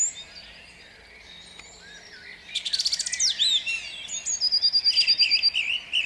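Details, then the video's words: Song thrush singing at dawn in Jabłonna, 29 April 2021: after a quiet start, loud bright phrases burst out, followed by a fast, even run of high repeated notes, with other birds faint in the background. "Drozd śpiewak śpiewa o świcie"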